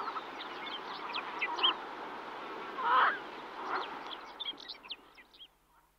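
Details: Yellow-billed pintail (Anas georgica), call: female calling to her ducklings.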